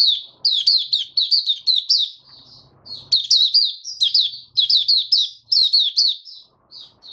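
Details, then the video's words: Caged male white-eye giving an opening song while settling his form: bright, high, rapidly warbled notes in repeated bursts of about a second, and a faint low hum in the middle. "Mata Puteh Raja Stablizing his form buka sing"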